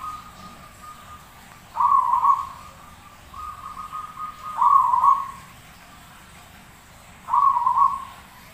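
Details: Zebra dove singing in the lively gacor style, as a tutor recording for other birds. Three mid-pitched, vibrating cooing phrases about a second long each are spaced several seconds apart, with a faint noisy background between them.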